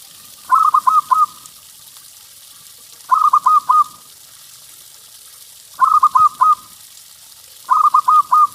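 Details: Four short phrases from a local zebra dove used to lure others: each a tight group of four clear coos, repeated roughly every two to three seconds against soft background hiss.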